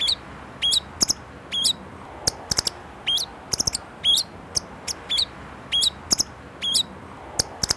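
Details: Indonesian white-rumped shama (murai batu) singing 'isian' material: short hooked whistles repeated roughly every second, mixed with sharp dry clicks and snapping sounds between phrases.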